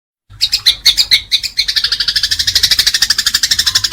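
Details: House sparrow fighting: a few loud, separate chirps in the first second, then a fast, steady, buzzy chatter of harsh notes repeated about three times a second. Used as a master recording for training pet birds.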